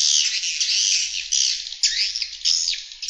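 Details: Swiftlets twitter in a dense, unbroken chorus of high, buzzy chirps with quick rising and falling sweeps, several overlapping at once; an external call recording used to attract swiftlets.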